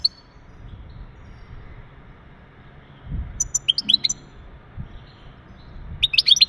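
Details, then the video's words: Male European goldfinch giving mating calls to stimulate a female: a quiet opening, then short clusters of bright, high chirps and twitters around the middle and end. "بتبتات ونداءات التزاوج عند ذكر الحسون فعالة في تجهيز أنثى الحسون"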